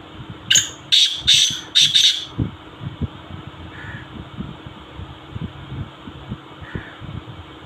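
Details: Black francolin call in Sindh style: a run of five harsh, rasping grating notes in quick succession over about two seconds, then softer distant notes, with steady low rumbling background noise throughout.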